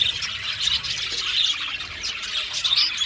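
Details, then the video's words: Aviary colony of budgies chattering: busy, high-pitched warbles and scratchy squawk-like chirps overlapping without pause, with a few brighter whistled notes rising above the mass. "Parakeet sound | budgies singing and chirping sounds"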